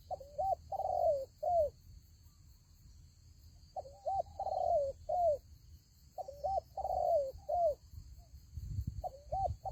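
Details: Spotted dove lure for trapping rivals gives triple-part phrases, a flat note, a hooked coo and a downslurred tail, repeated three times with pauses, plus a low thump near the end and steady hum.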